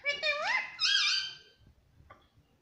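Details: Talkative pet ringneck parrot uttering two rising, wavering harmonic speech-like phrases, then fading into quiet room noise with a faint brief squeak.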